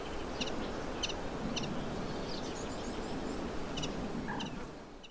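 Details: A common chiffchaff sings in spring, 29 May 2023, in the Vilaine estuary, Morbihan, Brittany: thin, high chiff-chaff notes about twice a second in two short bursts over a steady low rumble of wind or distant traffic.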